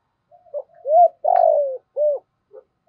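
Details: Decoy spotted dove calling wild doves in. It gives a low mellow phrase: a brief note, an upswept coo, a long throbbing coo sliding down, a rounded short coo and a tiny closing note.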